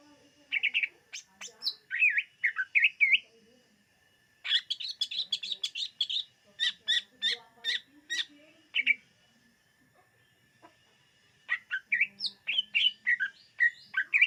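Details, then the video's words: Greater green leafbird (cucak ijo), 2022, song for luring birds: bursts of rapid high chattering and whistled phrases separated by brief silences, with the busiest stretch in the middle. "SUARA BURUNG CUCAK IJO UNTUK PEMIKAT DIJAMIN TERPIKAT"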